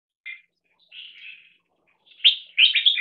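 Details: Caged 1.5-year-old crossbred bulbul, 75% red-whiskered and stripe-throated, from a competition bloodline, singing in a loudness test: a short chirp, a softer warbled phrase, then loud bubbly whistled notes near the end, with silent gaps between.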